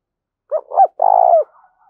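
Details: Spotted dove decoy bird giving energetic calling coos. A single three-part phrase: two short throaty coos, then a longer, steady, vibrating coo that dips at the end. The background is silent.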